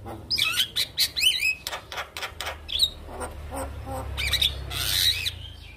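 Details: Male Javan myna singing for other mynas to imitate; varied rising and falling squeaky whistles mixed with harsh scratchy bursts and a rushing noisy passage near the end.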